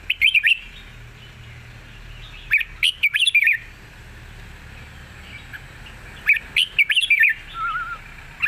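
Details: Red-whiskered bulbul in wild-style song with long phrasing and a light voice: lively warbled bursts at the start, around 2.5–3.5 seconds and near 6.5–7.5 seconds, separated by short silences, ending with a soft trilled note.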